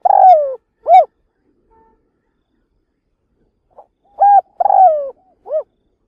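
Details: Spotted dove used as a trapping decoy, calling to lure wild doves: hollow cooing phrases mixing short rounded notes with a longer tremulous, falling note, two phrases separated by a few seconds of silence.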